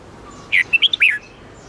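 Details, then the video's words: Red-whiskered bulbul singing a short, twisting 8-9-10 note style phrase used for training caged bulbuls: a bright whistled opening note, then about four quick looping notes falling at the end. "Luyện giọng chào mào hót âm 8-9-10 xoắn tít cực hay"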